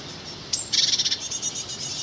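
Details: Great tit parents scold a passer-by near their nest at a disused inn in Kent's North Downs, 31 May 2019, with young, probably a second brood, inside: a thin high note, then a harsh pulsed churring rattle, fading into softer high chatter.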